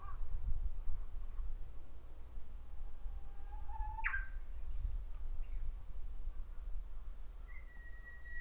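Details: Japanese bush warbler singing from a tree in Miyakonojo, Miyazaki Prefecture, Japan: a held low whistle that slides up into a sharp, rising two-part ending, with a faint later whistled note over constant low rumble.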